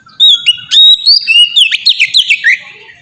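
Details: White-rumped shama song used as a lure for other shamas, beginning with long pure whistles and breaking into quick descending slurred notes.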